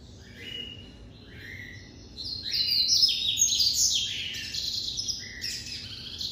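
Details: Captive-bred white-collared seedeater from an amateur breeder, classic-style song: opening soft whistled phrases, then a louder run of high, slurred, descending notes with buzzy bright accents, delivered in a quick series.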